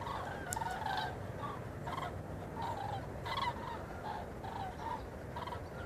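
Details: Migrating common cranes fly north over a garden in Vianen on 5 March 2013, giving a loud chorus of rolling, trumpeting flight calls from many birds, irregularly repeated over a steady low rumble.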